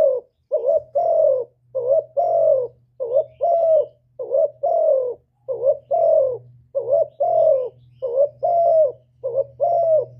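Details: Spotted dove singing the hạp bổi song in full, with calling, urging and cooing: repeated pairs of a short dipping coo and a longer, softly falling coo, over a faint low steady hum.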